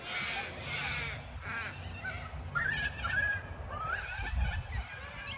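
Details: Hundreds of white and yellow parrots, cockatoos, settle on a Melbourne sports field in Australia. Two harsh, grating screeches open the recording, followed by softer, scattered squawks from the crowded flock and a steady background rumble.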